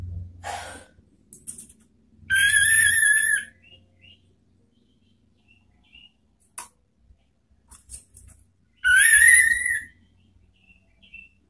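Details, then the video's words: Orange-headed thrush giving its ngeplong song to provoke rivals: two separate whistled phrases, each about a second, falling slightly, spaced several seconds apart with faint clicks and low background noise between. "SIULAN ampuh ANIS MERAH MEMANGGIL LAWAN ¦ PANCINGAN NGEPLONG"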